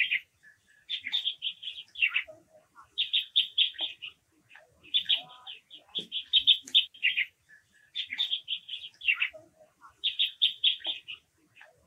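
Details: Japanese waxwing calling steadily: rhythmic runs of rapid, bright chirping notes recurring every two to three seconds, several runs ending in falling slurs, with faint softer chips in the pauses.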